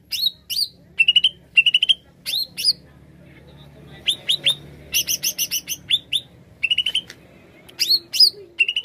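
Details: Greater green leafbird singing in bursts of rapid, bright, clipped notes in quick trills, each burst under half a second, with short rising whistles and gaps between phrases; faint low hum beneath.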